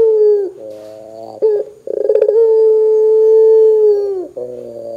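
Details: Loud Barbary dove, calling to draw other doves into calling: a falling coo, a low buzzy purr, then a fast rattling roll that opens into a long steady coo of more than two seconds, dropping at the end.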